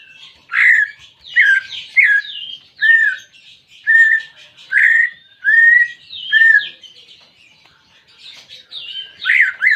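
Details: Greater green leafbird kept as a pet, song played to stimulate a silent bird: loud varied whistled and squawky phrases, short slurred notes repeated about once a second, with chattering higher notes in between.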